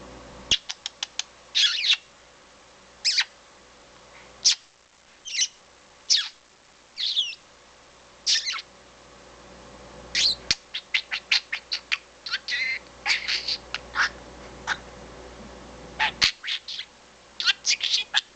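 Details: A talking budgerigar chatters in quick, scratchy bursts of clicks and chirps, mimicking French speech such as "Chef", "allo Chef", "oui Chef", along with kissing sounds, laughter and whistles.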